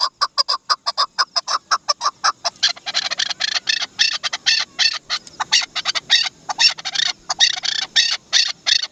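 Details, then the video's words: Dasi chakor, the Chukar partridge, opens with rapid separate chak clucks that soon merge into a dense, harsh, chattering series of rasping notes. "Amazing sound of Dasi chakor"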